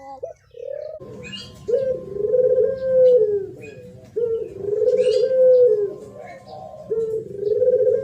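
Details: Spotted dove giving thổ pháp song, used to excite males and females: a short rising note, then three long, swelling, wavering coos separated by brief pauses, with faint high chirps behind.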